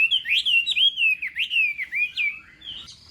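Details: Chinese hwamei singing in a contest-style morning session: a rapid run of loud, slurred whistled notes, each swooping up and down, about two per second, fading slightly toward the end.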